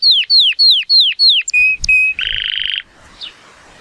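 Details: Powerful song of a male Timbrado Español canary (born 2018, 83-point rating) on a sunny day: five loud falling whistles, two pinging notes, then a buzzy rattle ending in quiet.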